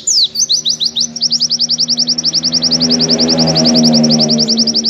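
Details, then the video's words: Oriental white-eye singing a long, fast run of high, clear, slurred chirps, about three to four notes a second, over a faint low hum; the song is meant as master audio to teach white-eyes a long, clear song. "MASTERAN PLECI nembak panjang dan suara jernih"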